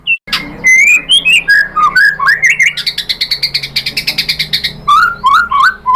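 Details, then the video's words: Provocation song of a white-rumped shama: varied rising and falling whistled phrases, then a fast, even trill of bright notes, ending in a few lower slurred whistles. "SUARA MURAI BATU bikin EMOSI NYAUT jadi GACOR BONGKAR MATERI ISIAN ¦ PANCINGAN MURAI"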